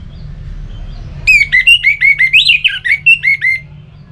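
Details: Orange-headed thrush recording from Singaraja, North Bali, played to stimulate other birds into full singing. After a second of low hum, a rapid run of about a dozen varied whistled notes rises and falls over two and a half seconds.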